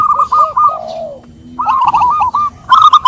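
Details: Lure song of a zebra dove for a bird reluctant to sing. A chain of quick bubbling coos ends in a falling drawn-out note, then after a short gap the trilled cooing starts again.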